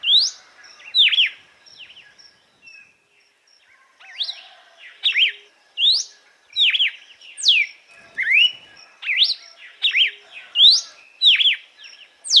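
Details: Red-cowled cardinal singing açoite, a song for training captive birds, Paroaria dominicana: long run of quick whistled slurs, rising then falling notes repeated in rapid succession after an opening burst and a short lull.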